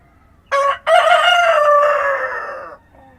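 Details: Real rooster crowing at dawn on a farm. One complete cock-a-doodle-doo: a brief clipped first syllable, a short pause, then a loud sustained crow lasting nearly two seconds that slowly falls and fades. The rural background is quiet.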